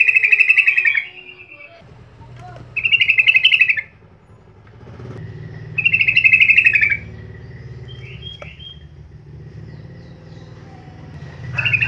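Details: Sooty-headed bulbul song used as a lure to prompt other bulbuls to sing: three loud, bubbly warbled phrases about a second long, spaced roughly three seconds apart, with a fainter short chirping call between and a steady low engine-like rumble beneath.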